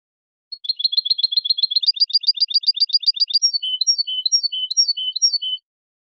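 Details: European goldfinch song in the clean golden style, from a composition made for tutoring birds: a fast, even trill of high twittering notes that steps up in pitch, then spaced bright chirps, against total silence.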